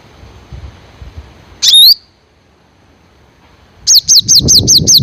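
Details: Black sunbird giving one sharp, high, down-slurred call, then after a pause a rapid run of about six high, metallic chipping notes, each sliding downward; faint low rustling beforehand.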